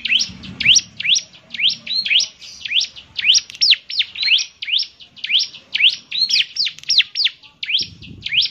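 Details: Bar-winged prinia (ciblek semi) singing actively, its distinctive voice said to make other ciblek semi join in; high, sharp notes sweeping steeply, about two per second, in a steady stream with faint low rumbles underneath.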